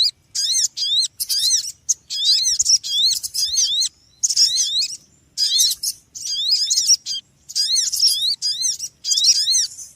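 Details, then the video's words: Noisy small bird giving dense bursts of high, sharp chirps in rapid runs, each burst about half a second to a second long with short pauses between, steady and busy throughout. "Suara Burung Kecil Ribut"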